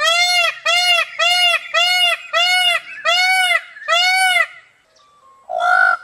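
A peacock gives seven loud, nasal, arching screams in quick succession, about two per second, then a pause and one final shorter cry.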